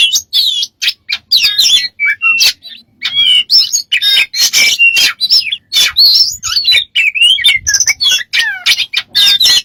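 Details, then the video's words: A bird with many strange sounds gives a dense, fast run of high whistles, chirps and sliding squeaks, packed with short bursts and brief gaps, mostly shrill and bright. "smart bird have lost of strange sounds"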